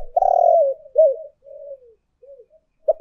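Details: Spotted dove lure recording of urging and calling coos: a long throaty purring coo followed by shorter descending coo notes and a final clipped note, low and mellow, in a quiet setting.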